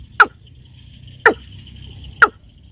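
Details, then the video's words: Watercock, known locally as keb-keb, in a recording used to draw birds in for hunting: three sharp, clipped knocking notes about one second apart, with a faint steady background hum. "Watercock Bird Sounds (Keb-Keb)"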